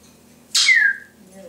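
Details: Timneh African grey parrot kept as a house pet, mimicking household noises: a single sharp squawk sliding into a falling whistled tone, followed by a woman speaking to the bird.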